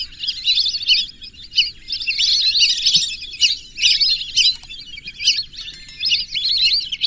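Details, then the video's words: Lesser whistling ducks calling as a flock, a dense chatter of high, thin, overlapping whistles that runs almost without pause, swelling and fading in short bursts. "whistling dack call/sound /বালি হাসের ডাক/শরালী পাখির ডাক"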